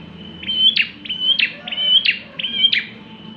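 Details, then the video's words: Bar-winged prinia in lively singing form, used as a lure for other birds: high whistled notes each ending in a sharp downward-sweeping chip, repeated about five times in quick succession, with faint low background hum. "prenjak klawu gacor cocok buat pancingan"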